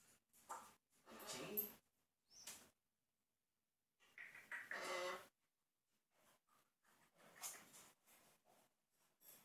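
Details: African grey parrot kept as a pet, mumbling in imitation of Dick Cheney's speech: soft, quiet, speech-like bursts separated by pauses. Breathy, muttered syllables come in several short runs with silent gaps between them.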